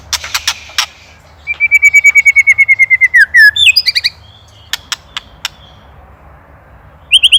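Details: White-rumped shama song used as a master recording for training songbirds: sharp clicking notes, then a fast run of repeated whistled notes near one pitch, slurred whistles, and scattered clicks with a brief rising phrase at the end.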